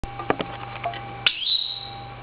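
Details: Pet male Meyer's parrot indoors, calling while its owner runs: a few soft clicks and taps, then one whistled note sweeping upward and levelling into a thin, steady high tone.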